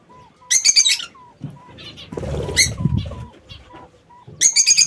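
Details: Lovebirds kept in an aviary giving bursts of shrill, harsh, buzzy shrieks in short rapid clusters at the start and end, with softer tonal whistles and a stretch of rustling or wing noise in the middle.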